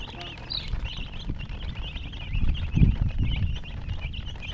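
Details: Baby chickens peeping, a continuous string of high thin chirps, while dull thuds and knocks rise in the middle of the recording.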